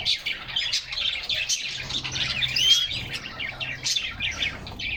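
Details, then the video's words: Canaries kept in a cage, singing together in summer sunshine and recorded from inside the cage; a steady, bright chorus of rapid chirps and trills, with one clear rising whistled note standing out midway. "Canaries Singing and Playing in Their Cage"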